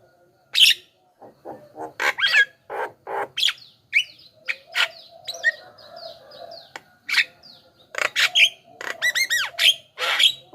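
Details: Javan myna song used as a lure and tutor to draw wild mynas: varied sharp clicks, rising whistles and a fast run of looping whistled notes, delivered in separated bursts with short pauses.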